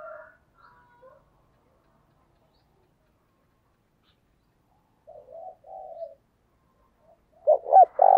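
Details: Decoy cooing of a spotted dove, in the quick thúc bổi style, used to lure wild doves. Faint coos begin, then a soft two-part phrase, ending in a burst of loud, deep stuttering coos.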